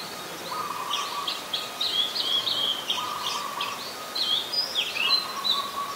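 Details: Oriental magpie-robin, common resident, Ubon Ratchathani, Thailand, 26 December 2020, filmed on a Nikon P1000: softer high whistled and chirping phrases over a steady lower humming tone and background noise.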